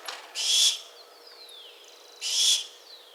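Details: Barn owl screeching twice, harsh noisy bursts nearly two seconds apart, while thin descending whistles of small birds sound in the gaps.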